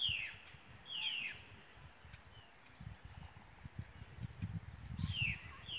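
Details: During breeding, a brown-throated parakeet (perico mastrantero) gives short, harsh, downward-slurred screeches, two early in quick succession and another near the end, with steady low rumble and faint high hiss beneath.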